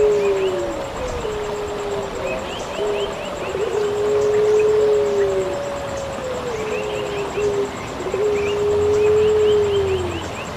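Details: Pelung puter, the Eurasian collared dove, from a masteran recording for songbird training: a brief lead note, then a sustained mellow coo that sags at its close, repeated every few seconds. Soft twittering from other birds and a steady high tone run underneath.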